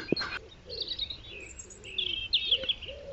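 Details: European robin (Erithacus rubecula) singing outdoors, a song heard all year and sometimes at night: thin, high, rippling phrases of varied trills and short whistles over softer low notes and a faint hiss.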